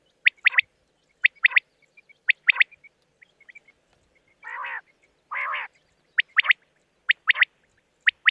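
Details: Rain quail giving sharp, high, metallic notes in quick pairs and triplets, about once a second, broken midway by two short buzzy rasping bursts; the recording is used as a quail-hunting lure.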